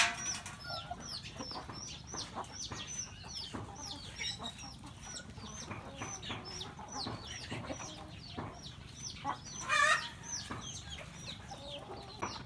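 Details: Roosters and a hen in a rural home flock, eating breakfast: many thin rising peeps and steady clucking, with one louder harsh squawk near the tenth second amid pecking noises.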